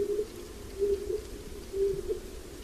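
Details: Stock dove giving low, level cooing notes, each ending in a brief upward lift, repeated roughly every second over a steady hissing background.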